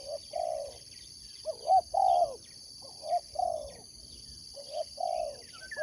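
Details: Competition spotted dove kept as a sport dove, cooing in soft low phrases. Each phrase pairs a brief lead note with a longer, slightly falling coo, with pauses between. A constant shrill electronic-like whine hangs above.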